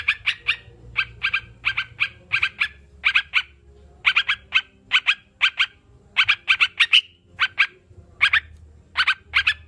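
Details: Sooty-headed bulbul, used to encourage caged birds to start singing: a long run of quick clipped notes in twos and threes, evenly paced, with a soft low drone behind.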